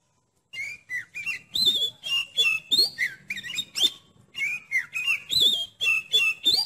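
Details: Oriental magpie-robin song, used to test the nerve of another magpie-robin: a steady series of bright, high whistled and buzzy notes, delivered about three per second with hardly a break.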